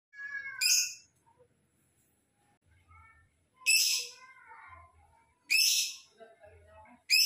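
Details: Lovebird in a loud, lively song for training and provoking rival birds: harsh, bright chirp bursts at irregular intervals, separated by softer, lower warbled and whistled notes.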